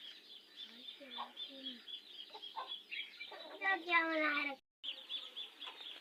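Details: Broody golden hen in summer, set on eggs in a pet house: soft scattered low clucks, then a loud harsh drawn-out squawk rich in overtones, over a steady high buzzing hiss from the surroundings.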